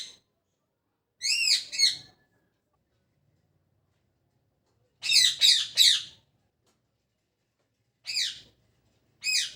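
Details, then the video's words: Pet parrot chirping in the morning, giving short bursts of two or three loud, harsh, rising chirps with silent gaps between them, in a small indoor room. "Parrot Chirping At Morning | Parrot Sound"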